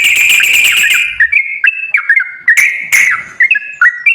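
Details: Sooty-headed bulbul song used as a lure to get a quiet bird to sing: a burst of rapid repeated notes, then short whistled phrases around mid pitch with slurred up and down notes and brief pauses.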